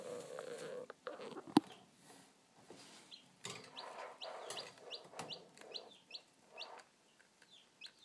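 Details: Newly hatching chicks: a few sharp knocks and rustling taps at first, then a busy run of quick, high, piercing peeps repeated roughly every half second, overlapping one another.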